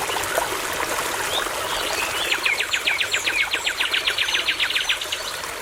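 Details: Nightingale singing near a babbling brook: a fast, even run of about twenty sharp repeated notes, roughly four per second, after a few scattered high notes, over a steady trickling stream.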